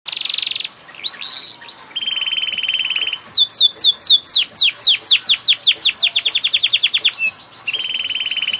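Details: Canary singing vigorously with many varied phrases: a steady buzzy trill, then rapid falling whistled sweeps repeated several times a second, ending in another flat buzzy trill.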